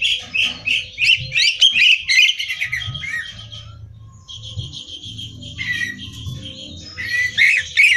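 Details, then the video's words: Song of a greater green leafbird meant for song-competition practice: a fast series of loud repeated chattering notes, then sustained thin whistles and warbled phrases, returning to bright rapid notes at the end. "Cucak Hijau Gacor Hiper Ampuh Buat Bahan Lomba"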